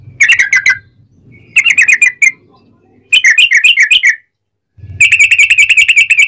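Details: Rapid-fire 'ropel' song of a sooty-headed bulbul, used to stimulate other bulbuls to sing: four bursts of quick liquid whistled notes separated by short pauses, the last burst a fast even trill, with a low hum.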